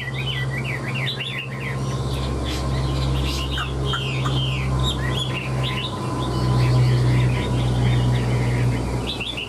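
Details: A captive Chinese hwamei sings while spreading its tail and flicking its wings in display, giving a rich, fast run of varied whistled phrases that slide up and down, with a steady low hum underneath.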